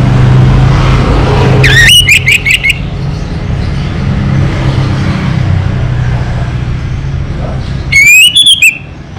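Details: Local Orange-headed thrush singing: a rapid cluster of bright, rising and falling whistles, a long pause, then a second clipped burst, with constant vehicle noise underneath.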